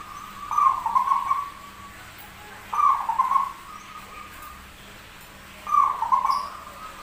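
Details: Zebra dove with a rare, unusual voice that sings often, giving three mellow rolling coo phrases about every two and a half seconds, each ending in a softer trailing tone, over steady low background hiss.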